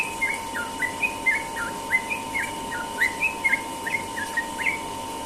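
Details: Morning ropel song of the sooty-headed bulbul, a steady run of short chirpy whistles at an even pace, softer and more distant, over a constant low hum.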